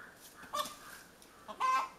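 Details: Hen cackling after laying an egg: two short, nasal, level calls about a second apart, the second longer and louder, over a quiet background.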